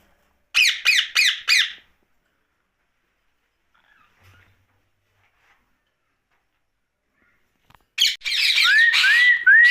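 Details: Pet ringneck parakeet at night: four sharp raspy squawks, then a long silence, then a burst of harsh chatter ending in three rising whistled notes.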